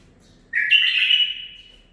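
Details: A single rich warbled phrase from a captive-bred male bulbul aged nine months: a quick rising onset settling into a sustained, bright fluttering whistle that fades out, in a quiet room.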